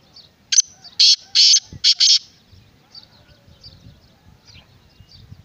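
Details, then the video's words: Harsh rasping call of a black francolin: one brief scratchy note, then four loud, broad, grating bursts in quick succession, followed by quiet background with faint distant bird chirps and a low thump. "Black Francolin kala Teetar"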